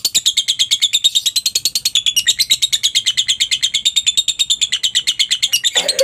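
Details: Lovebird singing, a rapid run of sharp high chirps repeated about three times a second in a steady chattering stream, ending with a brief rougher note.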